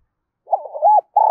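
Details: Spotted dove from Dong Nai used as a lure call: a loud, clean coo of wavering low notes followed by a steady held note, no background sound.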